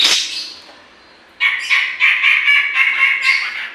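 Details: Grey-cheeked bulbul in vigorous song, kept to stimulate other birds: after a short quiet gap, a loud run of rapid, bubbling, slightly harsh notes pulsing several times a second.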